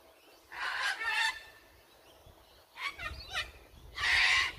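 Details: Sulphur-crested cockatoo (Cacatua galerita), screech.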